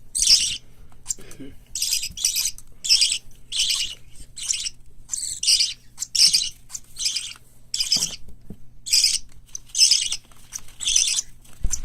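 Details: Hand-reared parakeet nestlings (white lovebird, cockatiel, budgerigar) let out steady, raspy, high squeaks, bursts of under a second repeated roughly every second for twelve seconds, with a faint low sound early on and a thump at the end.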